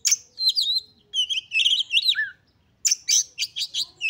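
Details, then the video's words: Excited Oriental magpie-robin singing to provoke other magpie-robins: loud looping whistles and a jumbled warble ending in a low falling slur, a short pause, then a burst of harsh, rapidly repeated high chips. "KACER GACOR FULL EMOSI TINGGI// JOSS UNTUK MENDONGKRAK KACER LAIN AGAR CEPAT EMOSI DAN GACOR FIGHTER"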